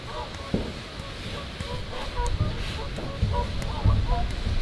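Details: Whooper swans taking off at RSPB Minsmere give short, bugling honks in irregular bursts over heavy low wind rumble and splashing.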